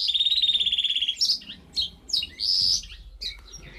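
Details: Goldfinch hybrid bred in 2015 singing: a rapid, steady buzzy trill for about a second, then a varied run of bright chirps, sweeping whistled notes and short twittering phrases, high-pitched and clear with little background noise.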